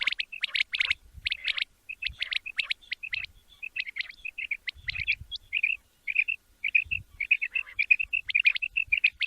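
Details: Quail sound meant for morning hunting, with rapid, choppy chirp bursts at first, then a long run of short, clear whistled pips repeated in quick succession.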